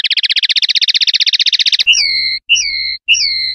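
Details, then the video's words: Clean 'pardillo limpio' song of a common linnet, from a 2025/2026 song CD: a rapid rattling trill for almost two seconds, followed by three drawn-out whistled notes that dip and level off, separated by short pauses. "PARDILLO LIMPIO"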